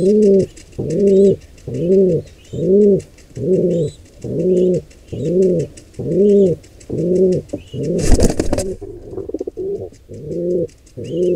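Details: Rhythmic deep coos, about one per second, at a wild pigeon nest where intruders attack a squab; a loud broadband burst, like flapping or a scuffle, cuts in briefly two-thirds through, with faint chirps above.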